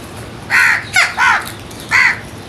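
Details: Crows feeding call in a rapid burst of four rasping caws within two seconds, two nearly overlapping, rough and nasal with strong harmonics.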